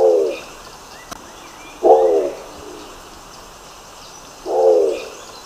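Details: Nicobar pigeon giving three low, hoarse, grunting calls, each about half a second long and spaced two to three seconds apart, over faint background hiss.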